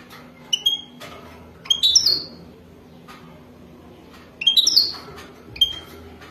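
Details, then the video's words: Mating song of a wadani-type European goldfinch: sparse short chirps and a pair of quick twittered phrases with sweeping upward notes, separated by long quiet gaps, over a low room hum. "اجمل و اروع تغريد حسون وداني رائع جدا"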